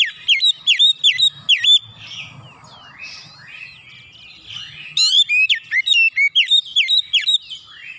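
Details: Kacer, the Oriental magpie-robin, in the bursting nembak style with bongkar isian, pouring out its learned phrases: loud, sharply repeated whistled notes open and close the passage, with quieter, varied, slurred phrases between and a faint low hum.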